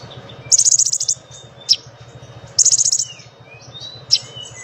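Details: Lesser shortwing singing energetically: two fast, very high-pitched trilled bursts, each followed by a sharp piercing note, with faint thin whistles between and a low background hum.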